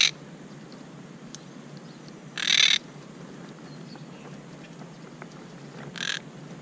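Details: Monk parakeets at their nest, upset and fussing at a newly placed camera; two short harsh squawks, one loud and one fainter, separated by about three seconds of quiet background hiss.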